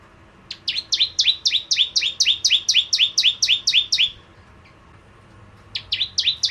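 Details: Bar-winged prinia singing actively: a fast series of sharp, high, downward-sweeping chips, about four per second for three and a half seconds, then a pause and a fresh burst near the end.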